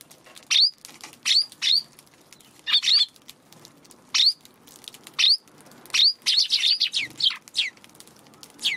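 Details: Eurasian tree sparrows hesitating near a Godzilla figure placed at their feeding spot, March 16 afternoon; frequent bright chirps, often in pairs or triplets, rising at the end, steady through the recording.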